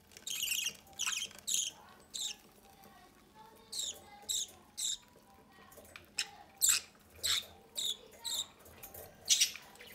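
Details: A pair of pet budgerigars feeding one of their chicks from the nest door; the chick gives short, scratchy, hissing begging calls, irregularly spaced, about one per second.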